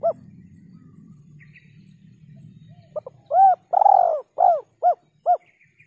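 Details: Lure call of a spotted dove with the uncommon 'kuk 2 and kuk 3' ending: after a quiet stretch with low rumble, a phrase of hollow coos, two long arched notes then several shorter clipped ones.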